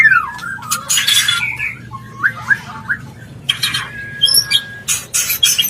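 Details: Mating call of a white-rumped shama for bringing a bird into breeding condition: scattered whistled slurs and chirps between loud harsh rasping bursts, with a thin sustained whistle near the middle.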